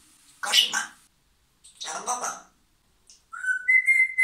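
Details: Pet parrot indoors in a small room, producing speech-like syllable bursts in two short phrases, then a clear whistled note that dips and rises to a steady high tone.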